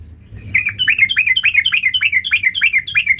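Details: A sooty-headed bulbul, singing in energetic full-variation 'gacor' style, gives one unbroken run of sharp, downward-sweeping chirps repeated about three times a second after a quiet start.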